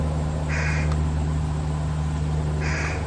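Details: Fish crows around a fledgling being fed by the adults: a pair of short nasal calls roughly two seconds apart over a steady low hum.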